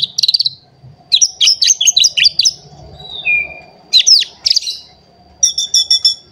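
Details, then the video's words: White-rumped shama in an excited state, singing to provoke rivals: bursts of rapid high chirps, a falling whistle near the middle, then trilled clusters and a final buzzy repeated phrase, separated by short pauses. "Pancingan Murai Batu Emosi Mencari Lawan Bikin Murai Lain Langsung Emosi Bongkar Isian"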